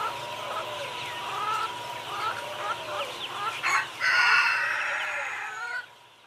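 Busy clucking and chatter from poultry gives way to one loud, drawn-out rooster crow near the end.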